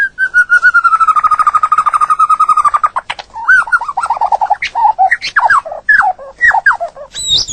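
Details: White-rumped shama in natural song: a long rapid trill of repeated notes sliding slowly downward for about three seconds, followed by varied fluty warbled phrases that loop up and down in a lower register, then a final high squeaky note.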